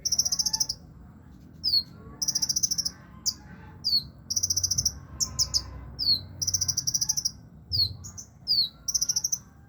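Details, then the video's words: A caged sunbird, kept low in its cage, keeps singing steadily: very high, fast sizzling trills alternating with thin, down-slurred whistles, in bursts about every second, over a low background rumble. "burung kolibri ninja ditaro di bawah juga masih gacor"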